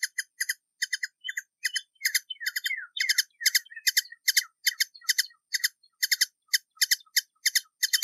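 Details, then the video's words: Hummingbird from a collection of hummingbird sounds: a continuous, rapid chatter of short, bright, ringing chips, mostly in pairs and triplets, running without break for eight seconds with a few lower slurred notes mixed in. "Sonidos de Colibries - COLECCION SONIDOS DE COLIBRIES - Hummingbirds Sounds"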